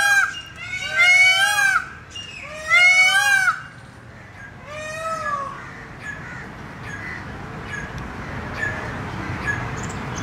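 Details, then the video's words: An Indian peafowl gives three loud, wailing, nasal calls in about four seconds, each a harsh rising-and-falling scream, followed by a quieter background with faint distant birds. "Peacock Call ~ PEACOCK Sounds | Peacock calls & peacock sounds"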